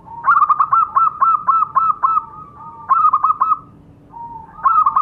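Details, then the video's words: Zebra dove call played as a lure to set captive birds calling: long runs of rapid, evenly pulsed mellow coos, a brief pause, then another quick pulsed burst starting up. "Pancingan suara perkutut"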